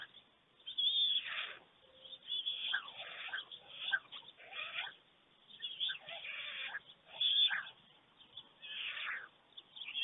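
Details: Early morning at a white stork nest in Germany on 24 June 2020, an adult arriving to a warm greeting from its mate and feeding one chick; hoarse, hissing bursts repeat about every second or two.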